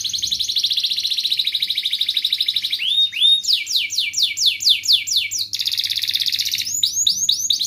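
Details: Canary in ngerek, mbarong and ngerol style, played to coax quiet canaries into singing: a long bright rolling trill, then a run of rapid sweeping notes, returning to the trill and ending with quick repeated chirps.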